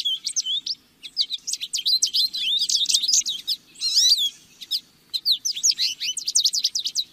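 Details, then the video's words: Lesser goldfinch song: a rapid, jumbled stream of high twittering notes, slurred whistles and chattery phrases with brief pauses, dense and continuous, a faint low rumble underneath. "Jilguero Aliblanco Canto! Llamado! Sonido! - Lesser Goldfinch Song -Spinus Psaltria"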